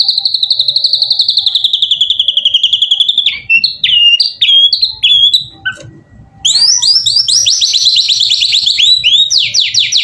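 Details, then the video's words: White-rumped shama (murai batu) singing hard to draw replies from other shamas: a long high buzzy trill, several short emphatic whistles, a brief pause, then rapid cascading high notes. "Burung murai gacor ampuh buat pancingan murai batu langsung bunyi nyaut"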